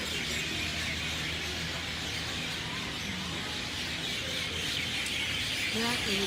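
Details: Crowd of birds chirping in a Lahaina banyan tree at sunset, West Maui: thick shrill chatter throughout, with human speech audible toward the end.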